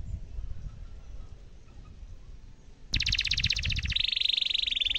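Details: Canary singing a long rolling tutor song for young canaries: low background rumble and noise for three seconds, then a sudden loud rapid trill that shifts into a steady, even high rattle of quickly repeated notes.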